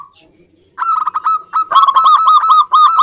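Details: Zebra doves, males and females calling back and forth, used to coax silent birds into singing: after a quiet start, rapid rolling coos build into a continuous loud stuttering trill.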